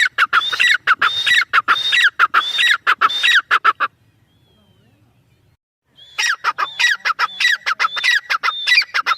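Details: Partridge (teetar) giving loud harsh repeated calls in quick rhythmic bursts, falling silent for about two seconds midway, then resuming the same grating series.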